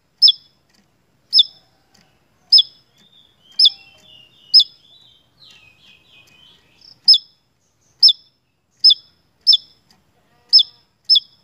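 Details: Javan tesia in full song, recorded as a lure for kept birds: crisp, high, downslurred notes roughly every second, broken mid-sequence by a soft, rambling, lower twitter, then the sharp notes resume. Clean, quiet background.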